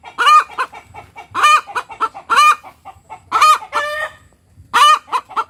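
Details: Ayam kampung (village chicken) hen tekotek cackling after laying: repeated loud arched "petok" squawks about once per second, each followed by quick clucks, harsh and harmonic, the bout steady throughout.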